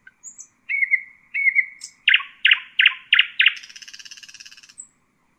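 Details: Song of the Husseini nightingale, meant for teaching chicks. Two slurred whistles lead into five loud descending strokes and then a quick, buzzy rattling trill.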